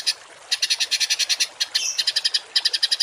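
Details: Harsh 'tembakan kasar' songbird masteran for training cage and contest birds: fast strings of hard, buzzy, high chips in several bursts, with one brief downslurred rasp midway.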